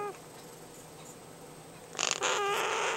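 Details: Emerald toucanet making nesting noises: two quiet seconds, then a quick burst of rattling pulses and a nasal, croaking note held to the end.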